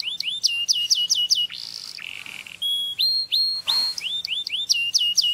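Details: Canary singing to stimulate mating, with bursts of sharp falling whistles, a short harsh buzz, flat sustained whistles and rising hooked notes, then more quick falling notes.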